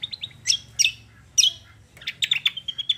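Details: Cucak kombo chirping actively: bright, high, slurred notes in short groups, then a quick run of clipped repeated tweets.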